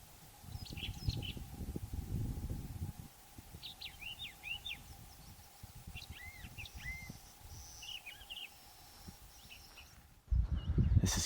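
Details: A Brown Thrasher, a mockingbird-family mimic, sings varied, high, chirpy phrases, each repeated twice in pairs, over steady wind rumble, a faint constant hum and a loud bump at the end.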